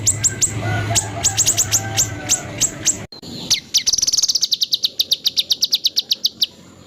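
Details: White-rumped shama 'tembakan kasar' for training songbirds. Piercing downslurred whistles come in uneven clusters, and after a short break a fast, accelerating series of high chipping notes follows, with a faint hum beneath.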